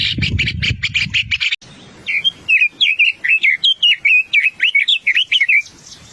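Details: A White-browed scimitar babbler (Pomatorhinus schisticeps) gives a burst of harsh, rasping chatter, then about fourteen quick, high whistled notes in a fast, lively run, over a low rumble.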